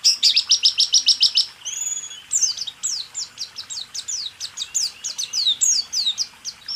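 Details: White-eye song used as a training recording for caged songbirds: a fast run of high buzzy trills, a steady whistle, then a long series of rapid descending sweeping notes, with faint background hiss.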